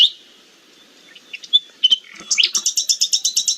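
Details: Nightingale song, played as an example of what might be heard on a forest walk: a near-silent start with scattered chirps, a buzzy flourish, then a rapid run of identical sharp notes repeated about four per second.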